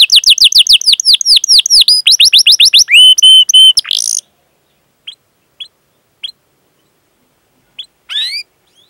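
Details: Canary in full, prolific song with long cuit-cuit rolling, used as a master lure for young or silent canaries: rapid descending whistled notes and a pure held trill for four seconds, then scattered single chirps.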